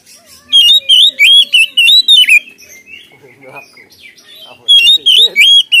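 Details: Oriental magpie-robin in loud gacor ngeplong song used as a lure, with loud rising and falling whistled phrases in rapid bursts, a softer jumbled stretch midway, then more strong whistles at the end.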